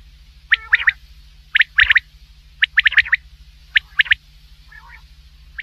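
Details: Common quail (batair) heard at night, a hunting call: crisp clipped notes in repeated groups of two or three about once a second, ending with a faint soft phrase, over a low steady hum.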